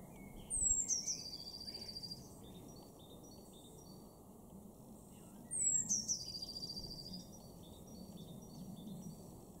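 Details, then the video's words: Eurasian blue tit in a garden in Weener, East Frisia, northwest Germany, March 2024: two very high, thin phrases about five seconds apart, each sliding into a quick silvery trill, over low rumble and faint distant birds. "blue tit"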